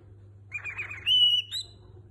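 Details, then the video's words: Indoor cockatiel imitating a popular tune: a quiet warbling run followed by a loud, pure sustained whistle and a brief higher note, with a low steady hum behind. "Pappagallo Calopsite canta dove e quando cucaracha e la canzone di Niko Pandetta"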